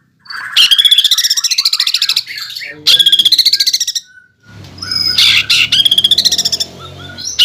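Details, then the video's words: Caged greater green leafbird in full, fierce song, its bursts of rapid rattling trills and buzzy chatter high-pitched, broken by short pauses and a few lower squeaky notes. "SUARA CUCAK IJO GACOR NEMBAK NGEROLL"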